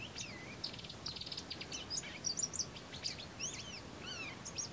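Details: A rusty-collared seedeater sings at Estación Los Tres Gigantes in the Paraguayan Pantanal: a rapid, varied jumble of high chips, buzzy trills and arched whistled notes over a soft steady hiss.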